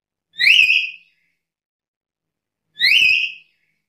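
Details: Two matching shrill whistles from a black-capped lory, each rising sharply then levelling off, spaced about 2.4 seconds apart in quiet surroundings.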